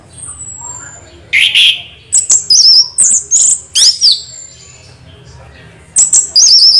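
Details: Orange-headed thrush (anis merah) in continuous rolling song: loud bursts of varied high whistles and trills, each under half a second, repeated in quick succession with a short pause, over a low steady background hum.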